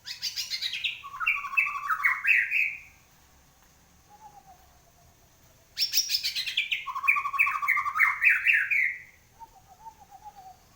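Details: After moulting, a white-rumped shama sings loud bursts of rapid, rising whistled notes in two phrases several seconds apart, each starting high and dropping, with soft lower warbles trailing in the gaps.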